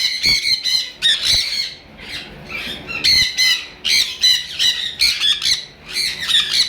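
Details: A breeding pair of sun conures give loud, harsh, shrill screeches in rapid repeated bursts.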